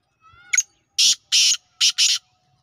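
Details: Evening call of a black francolin, known locally as kala teetar, in village surroundings: a faint rising whistle leads into a clipped note, followed by four rasping, scratchy bursts, two spaced and two paired, in otherwise quiet air.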